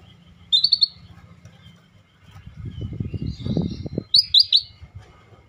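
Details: Rare scaly-breasted bulbul in steady song for a tutor recording: a quick three-note chirped phrase, a stretch of rustling, fluttering noise, then a similar three-note phrase repeated.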